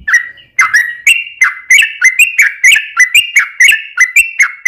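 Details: Yellow-vented bulbul (trucukan) lure song: a quick sequence of clear, liquid chirps, each starting with a click and sliding down, roughly one phrase per second, rising slightly toward the end.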